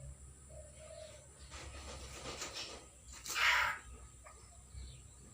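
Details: Newly caught common hill myna, not yet talking, recorded 6 December 2022; one loud, harsh, noisy screech lasting about a quarter second, standing out from a quiet background with faint murmuring.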